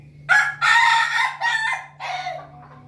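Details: Monday-morning crowing from an Ayam Ketawa, the laughing chicken: a loud, rasping crow split into four stuttering bursts, the second the longest, fading into a softer tail over under three seconds above a steady low hum.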